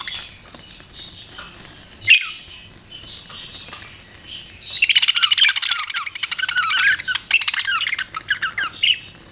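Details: Pet budgerigars chirping, a short twittering note near two seconds, then from about five seconds a dense run of warbled, buzzy chatter and squeaky notes that continues to the end.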